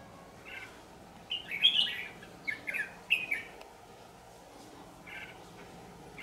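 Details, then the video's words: Red-whiskered bulbul, a white-cheeked bird of the ché song style, recorded during trapping; short whistled, warbling phrases in three quick bursts over about two seconds, then faint softer notes, with a quiet background hiss. "chào mào Siêu phẩm má trắng ché"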